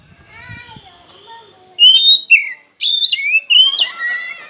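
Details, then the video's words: Oriental magpie-robin singing as a lure to get mute rival birds singing: quiet tonal notes with faint low thumps, then loud, jumpy whistled phrases sweeping up and down. "Pancingan KACER Macet Bunyi, Sekali Dengar Langsung Emosi!"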